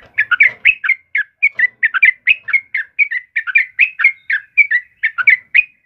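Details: Yellow-vented bulbul, called trucukan kebo, in lively gacor song used to lure and tutor caged birds: a steady run of quick, liquid, bubbling notes, dipping and rising, delivered several per second without pause.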